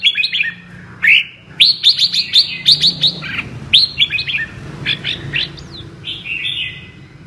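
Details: Red-whiskered bulbul, a 'mơ' bird, singing in the double-voice 'giọng kép' style: bright rising whistled notes and sharp chirps in quick bursts, with a low hum beneath.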